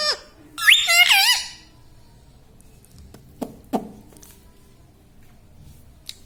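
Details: Indoor pet Indian ringneck parakeet gives a brief burst of two squeaky, wavering talking syllables near the start, then a few soft knocks and clicks in an otherwise quiet room.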